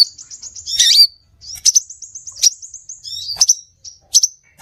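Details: Scarlet minivet calling for a lure: a fast series of high, slightly buzzy notes, then sharp chirps about every half second.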